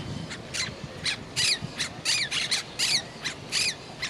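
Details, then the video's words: Monk parakeet, also called Quaker parrot, kept indoors as a talking parrot, giving a rapid run of harsh, scratchy chattering notes about twice a second over steady background hiss and low rumble. "Monk parakeet, Quaker parrot, Talking Parrot in House"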